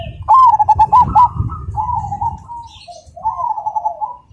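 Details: Cemani zebra dove (perkutut cemani) singing with a loud, clear, rhythmic voice: a quick run of sharp, clipped coos opens the phrase, trailing into softer, drawn-out purring coos, with other doves cooing faintly behind.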